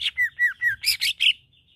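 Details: Greater green leafbird singing to provoke rival leafbirds' aggression: four clear falling whistles in even rhythm followed by three rougher, buzzier notes, all within under two seconds.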